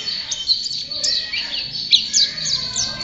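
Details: Short burst of champion white-eye song: bright, high chirps and brief sweeping notes repeated in quick irregular succession.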